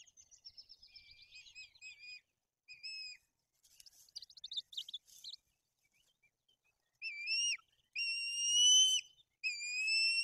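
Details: White-tailed eagles at a nest in Bory Tucholskie, Poland, as two chicks are fed fish and the older chick turns aggressive; soft chittering notes, then loud, high, whistled calls with rising-falling pitch, repeated in drawn-out bursts about a second long.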